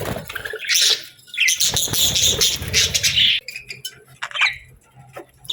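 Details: Loud, buzzy parakeet chatter in summer with squeaky, grating notes packed closely together, then a quieter stretch with scattered chirps and a faint low hum.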